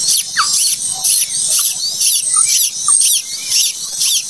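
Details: Continuous breathy, hissing rasps from a plaintive cuckoo chick that hatched late, pulsing about twice each second, with faint high squeaks between.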